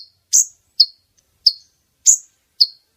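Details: Brown-throated sunbird female call, used to lure males near for trapping; five high, thin, sharp chirps spaced about half a second apart.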